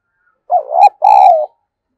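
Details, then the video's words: Spotted dove decoy coo, used to stimulate other doves: two deep, hollow cooing notes in quick succession, each about half a second long, with nothing else heard. "Tiếng Chim Cu Gáy Mồi Dùng Kích Bổi"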